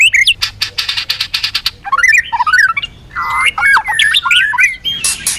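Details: White-rumped shama song used in bird training, a female singing to stimulate males: a fast rattle of buzzy pulses, then varied looping whistles, slurred notes and a harsh rasping burst at the end.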